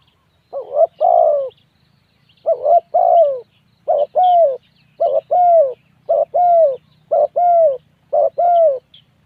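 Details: Spotted dove repeating a soft two-note coo, a clipped note and then a fuller one, eight times in a steady series with short gaps.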